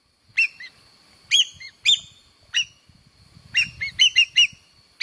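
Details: Common green magpie lure call: loud harsh notes with whistled overtones near 2-4k, given singly or in quick bursts of three, separated by short pauses, with faint low rumbling underneath.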